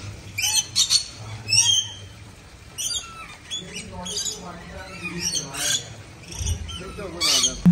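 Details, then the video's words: Scarlet macaw chicks giving harsh, squawky upswept calls, several short bursts in quick succession with broad raspy harmonics, over a low background hum. "Scarlet Macaw parrots chikes"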